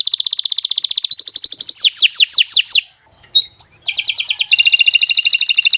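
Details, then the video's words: Canary song used as a master recording to get other canaries singing: long, loud run of rapid trills, fast repeated notes and descending sweeping whistles, with a short pause midway before buzzy rolling trills resume. "Kicau Burung Kenari 148 II LUAR BIASA GACOR PANJANG Cocok untuk Masteran"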